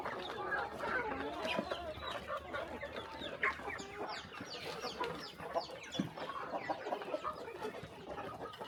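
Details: Many chickens calling together while fed on a small rural farm in the morning: layered clucks and thin rising peeps, fairly even, with occasional brief louder notes.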